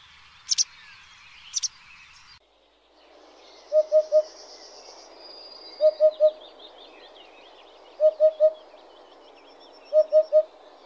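Eurasian Hoopoe giving soft, low hollow triplets, 'oop-oop-oop', repeated about every two seconds, over faint higher chirps from other birds.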